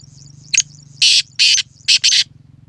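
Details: Black francolin (Sindhi francolin, kala teetar) calling, dated 29 January 2024: a short harsh note, then four loud, broad, grating bursts in quick succession over a steady low hum.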